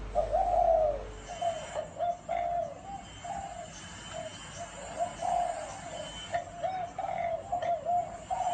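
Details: Spotted dove giving gáy gù style cooing: a strong opening coo, then a string of shorter, broken, low hollow coo notes at uneven intervals, with faint higher sounds in the background.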